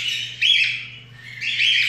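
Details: Indian ringneck parakeet kept as a pet that is learning to talk, uttering two sharp, bright, slightly squeaky chirped phrases about a second apart over a faint steady hum.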